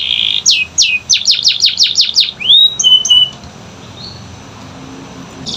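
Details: Canary song lure for quiet canaries: a short buzzy note, then a brisk run of steep descending sweeps, a rising slur and a few thin whistles fading into near silence.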